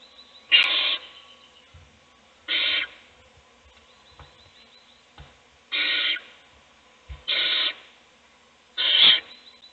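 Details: Owl in a nest box feeding a chick while the rest sleep; five rough, breathy hissing bursts at irregular one- to three-second gaps, with faint tapping sounds between.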